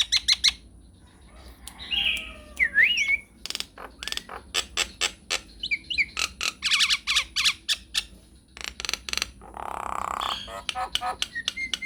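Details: Nias hill myna in energetic, long rolling song used as a lure to prompt replies from other mynas: rapid dry clicks in runs, a twisting nasal whistle, and a harsh buzzy burst near the end, over a low steady hum.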